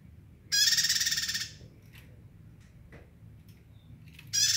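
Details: Bar-winged prinia giving a dense, buzzy, high burst of about a second, then faint clicks and a second burst beginning at the end.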